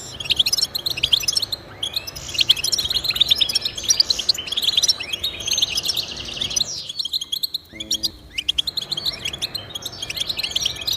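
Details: European goldfinch singing, played so pet goldfinches will join in: fast, high, chattering twitters and liquid notes for several seconds, then a near-silent gap with a short tonal note before the twittering returns.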